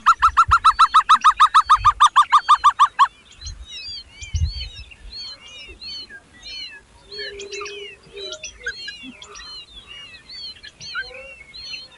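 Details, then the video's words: Hungry baby birds being fed by their mother: a loud burst of rapid, harsh, even notes about six per second for three seconds, followed by many overlapping high chirps and short whistles. "Baby bird was hungry | mother feeding them"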